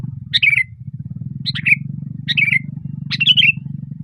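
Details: Sooty-headed bulbul singing loudly and busily (gacor) from a branch: four short bubbly phrases, each a quick burst that slurs downward, spaced about a second apart over a steady low rumble.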